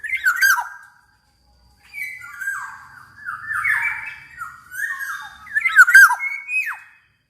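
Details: Black-naped oriole in spirited song for luring other orioles to sing: rasping squawks blended with liquid slurred whistles, delivered in a near-continuous flowing string.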